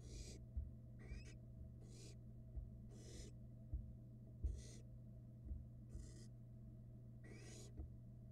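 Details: On a Florida nest box camera two barn owl nestlings feed on rats; a run of about eight rasping hisses, some overlapping, spaced under a second apart, with knocks and a continuous low hum.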